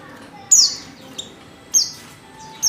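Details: Oriental white-eye female calling to lure males into song: three high, thin descending notes about a second apart, with a faint chip in between.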